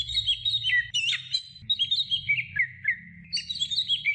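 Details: Greater green leafbird training recording for songbirds: rapid, chattering whistles jumping between high and middle pitches, with slurred descending notes, continuous over a low background hum.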